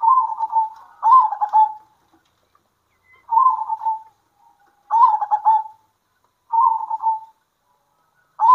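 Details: Local zebra doves answering each other at midday with trilled, purring coo phrases. The phrases last about a second each and arrive at irregular intervals, with quiet pauses between them.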